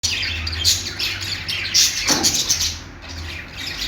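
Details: Budgerigar, described as an Australian parrot or parakeet, singing: dense scratchy warbling with fast chirps and clicks, high and buzzy, in steady rapid bursts, with a low hum beneath and a brief lower rasping note midway.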